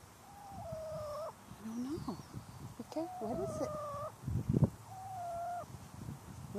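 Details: A mother wild turkey alerts her young chicks to a threat overhead near houses. She gives clear, sustained, slightly wavering tonal notes with short rising slurs between them, at steady loudness, with low rustling beneath.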